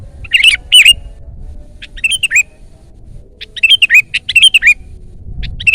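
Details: Sooty-headed bulbul in full loud song: rapid chains of bright, bubbly whistled notes, some rising and falling, come in dense bursts with brief pauses between them.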